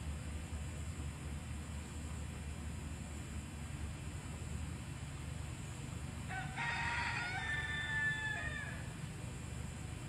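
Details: Peacock at Cracker Creek in Port Orange, Florida. After a quiet stretch, a single loud, nasal, harmonic wail lasts about two seconds, over a steady low rumble of background noise.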